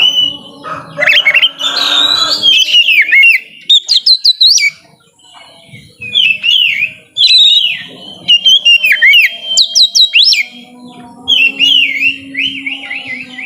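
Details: White-rumped shama in full song to stir lazy shamas: a harsh rasping burst, then sharp clicks and clear whistled slurs, ending in a repeated looping warble.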